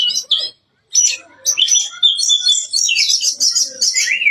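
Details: Oriental magpie-robin in loud full song, short sharp notes followed after a pause by a long dense jumble of high chattering and twittering phrases, ending on a clear rising whistle.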